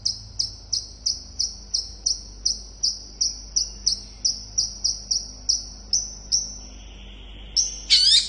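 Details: Long-tailed shrike in fast song aimed at drawing replies from other shrikes: thin, high, clipped chips repeated about three times a second for six seconds, a pause, then a brief harsh rasp and squeaky flourish.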